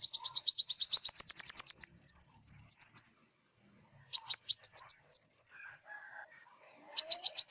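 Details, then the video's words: Five-colour sunbird from southern Vietnam, recorded to draw birds onto glue traps: a long fast trill of shrill ticks flowing into slurred whistles, a pause, then another trill-and-whistle phrase and a final burst. "Tiếng chim hút mật 5 màu miền Nam"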